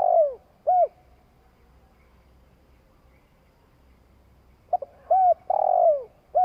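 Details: Long provoking coo of a spotted dove: the end of one phrase with two short hollow coos, a pause of several seconds, then a new phrase of clipped notes, rounded coo and long purring falling note.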